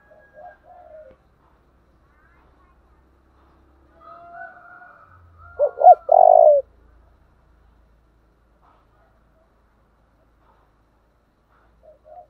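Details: Spotted dove cooing in the thổ đồng style, thúc and gáy gọi. After soft, faint notes, a loud burst of two quick hooting notes and a sustained coo stands out in otherwise near silence.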